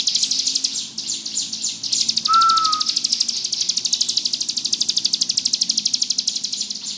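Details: Bar-winged prinia singing ngebrem: a continuous high, rapidly pulsing buzzy trill. A single clear, slightly falling whistle cuts in briefly partway through.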